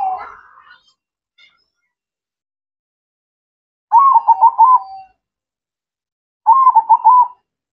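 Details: Zebra dove in full song: after a fading note, two separate phrases of fast, bubbling coos with a stuttering rhythm, the first ending in a drawn-out steady tone, spaced about two and a half seconds apart.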